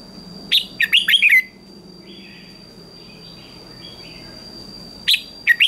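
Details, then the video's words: Red-whiskered bulbul in a morning singing contest: a burst of rapid warbled whistles, a pause filled with soft distant chirps, then the start of another bright phrase at the end. "Chào Mào Hót Đấu Sáng"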